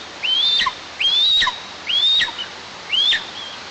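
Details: White-tailed eagle at a nest on a 20-metre pine in south-eastern Tatarstan, calling for another that never came, recorded 26 July 2024 by a nest camera; four rising whistled calls, each ending in a sharp downward drop, roughly one per second.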